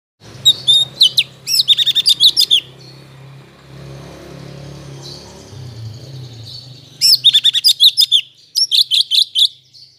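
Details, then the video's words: Cucak cungkok, a kept bird still learning its song after moulting; bursts of rapid, sharp, high chirps and twittering phrases separated by a pause, over a steady low hum. "Burung Cucak cungkok gacor paska mabung"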